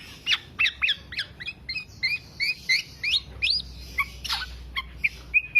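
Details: Black-naped oriole lure song for training songbirds: a regular series of clipped, upslurred chirps about three each second, ending in a short level whistle, against a faint low rumble.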